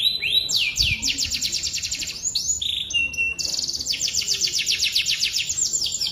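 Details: Atlantic canary, 'gacor' song with rich 'cengkok mewah' variations: long fast rolls of high swept notes, brief changes of phrase with flat whistled tones, then another extended rapid trill.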